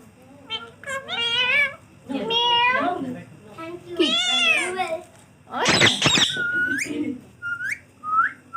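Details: Talking pet green ringneck parrot: squeaky, high-pitched mimicked words in several bursts, a sharp harsh squawk, then short clear rising whistles, with a human voice faintly present.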